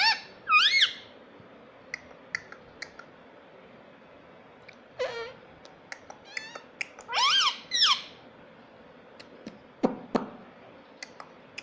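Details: Talking pet parrot at home, said to say mummy and papa: several loud arched, rising-falling syllables in short bursts, at the start, around five seconds, and a pair near seven to eight seconds, with clicks and tapping between.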